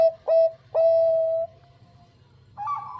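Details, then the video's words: Clear-voiced Bangkok-type zebra dove: two short, pure coos, then a long, steady, level note that fades away, followed by softer, wavering cooing. "PERKUTUT BANGKOK GACOR SUARA JERNIH MENGUNDANG BUNYI"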